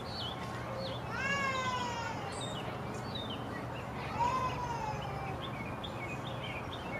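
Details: Peacock calling while dancing at the Statue of Unity Jungle Safari: a long, drawn-out, harmonic wail that slides downward, followed by a second fainter wail, with many small chirps from other birds and a steady background hum.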